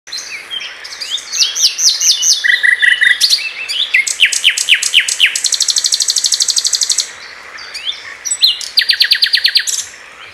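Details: Common nightingale singing a varied, rich song: thin whistled slurs, a short burst of pure repeated notes, loud downswept chips, then two long fast mechanical rattles of rapidly repeated notes separated by a brief quiet pause.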